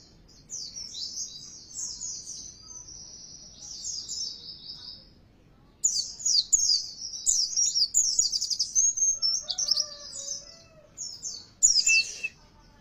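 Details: Oriental white-eye lure song meant to make a caged bird sing louder and more insistently: rapid high twittering phrases in a long run, a short pause, then denser chattering with faint lower notes near the end.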